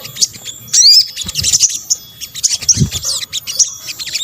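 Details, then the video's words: Sunbird, known in Indonesia as sogok ontong, calling to lure birds: a bright rising whistled slur followed by scattered high chirps and soft low thumps. "kombinasi suara sogok ontong"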